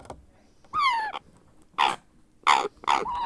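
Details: Hand-fed grey parrot hatchling begging: a drawn-out nasal, harmonic squawk that falls slightly, then three short harsh rasping bursts spaced about half a second apart, in a quiet indoor setting.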